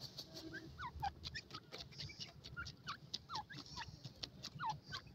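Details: Partridge chicks, called Irani tetar, in the forest in Iran, racing against one another; repeated thin, falling peeps come irregularly several times a second amid clicks and a low rumbling background.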